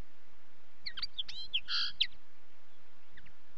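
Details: Common linnet song: a short burst of twittering, with quick chirps and trills followed by a buzzy nasal note, then a pause with faint notes near the end.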